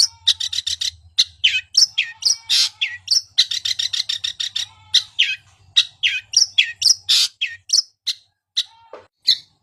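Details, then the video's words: Long-tailed shrike song played to prompt a silent bird into singing: a fast, varied stream of harsh chirps, trills and squeaky notes, some mimic-like, racing along for nearly ten seconds with a brief slowing toward the end. "Pancingan cendet macet Agar cepat bunyi"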